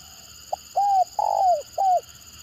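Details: One phrase from a stuttering-style spotted dove lure bird: a short clipped note, an arched coo, a longer coo sliding downward, and a final arched coo, mellow and low; faint background hum.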